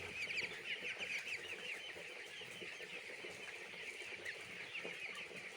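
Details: Crowd of chicks in a poultry farm giving quick, high, downslurred peeps, loudest at the start and then a steady chattering chorus, with no background hum.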